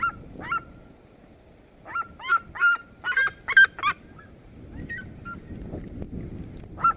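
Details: Red-legged seriema of the Cerrado in duet song: scattered yelps build into a dense run of loud, overlapping, strident notes around the middle, then taper back to isolated yelps, over low ambient noise.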